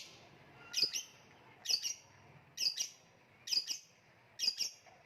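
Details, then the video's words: Lovebird from a kicau mania contest-bird recording: paired sharp, high squeaky chirps repeated roughly once a second, five times, with faint low hum between. "voice of love bird/ kicau mania lovebird gantangan macet"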